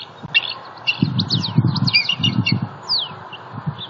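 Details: Female bald eagle at a nest in southwest Florida, 28 December 2019, announcing her mate's arrival with a fish: high, thin, staccato chirps and chittering notes over dull low thumps and rustling.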